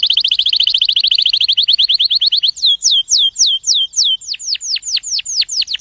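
A canary sings a rapid, even trill of high notes, then shifts to slower, swooping whistled notes repeated several times a second. The background is clean.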